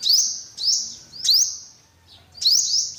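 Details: Four high rising sweeps from an olive-backed sunbird, each leveling into a thin buzzy tone, spaced about every half to one second, in a quiet setting.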